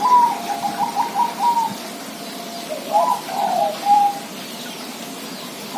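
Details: Zebra dove song of soft, rolling coos in two phrases. Each phrase is a quick series of short, mellow notes that ends in a clearer, slightly higher note, against constant background hiss.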